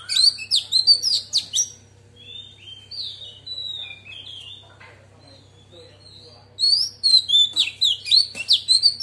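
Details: Female Oriental magpie-robin giving wild-type song to excite other birds: loud rapid whistled bursts at the start and end, with a softer middle passage of thin drawn-out whistles, over a constant low hum.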